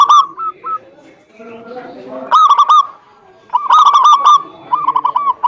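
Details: Zebra dove lure to get a quiet bird singing: a few quick coos, a softer murmuring passage, then two loud bursts of rapid hooked coo notes and a fainter closing run.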